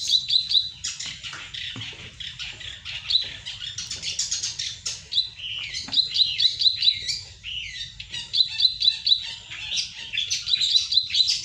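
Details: Ciwah in energetic song, used as a lure or master bird: dense high chattering phrases with bright repeated chirps, near-continuous for eleven seconds over a steady low hum.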